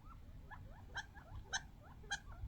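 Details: Wild young quail, only a few months old, come in from the desert to a bird-seed spot and squabble over the seeds; soft rising chirps with three sharper clicks about half a second apart, over low rumbling background noise.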